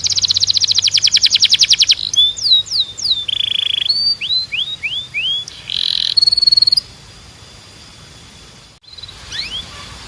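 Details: Canary training song meant to stimulate singing: fast buzzy trills, then a series of rising and falling whistled sweeps, a brief rattle and more sweeps, ending with a quiet pause and faint notes.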